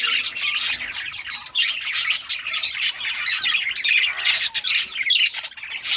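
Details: Several pet budgerigars of rare colours chirping while playing with toys, recorded 18 June 2023; dense overlapping chatter of warbling, scratchy chirps and short squawks, continuous throughout with brief dips.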